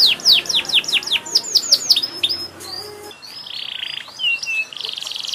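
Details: Chatty canary song full of variation: a quick run of sharply falling high notes, then gliding whistles and a steady buzzy trill, delivered continuously over a light background hiss.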